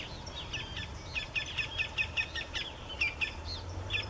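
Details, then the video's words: Campo flicker (Colaptes campestris), a ground-dwelling South American grassland woodpecker, giving a fast run of sharp, piping notes about five per second in an open-country setting, with faint low background rumble. "PICA PAU CHANCHÃ (Colaptes campestris) PÁSSARO VOCALIZANDO ao vivo da natureza,, CAMPO FLICKER"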